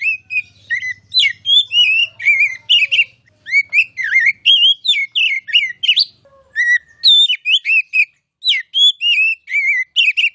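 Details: Kacer, the oriental magpie-robin, singing energetic masteran song meant as a tutor for contest birds: a dense run of whistles, twangy slurs and chirps in rapid bursts, with a brief low hum early and a short gap near the end.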